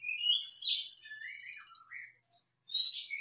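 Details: High warbling of a brown-throated sunbird, known locally as konin, used as a lure so others start singing: a fast, buzzy, twittering run that slides downward into a few lower slurred notes, then a short sharp burst after a pause.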